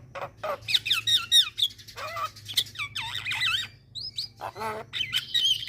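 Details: Starling lure aimed at Javan, black-winged and hill mynas: squeaky, twisting whistles that swoop up and down, broken by short grating squawks, over a low background hum.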